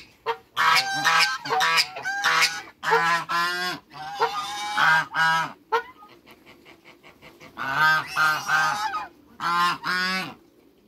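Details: Clear series of deep, brassy honks from African geese in a backyard, two males and one female, each call short and repeated in runs of two to four, with pauses between runs.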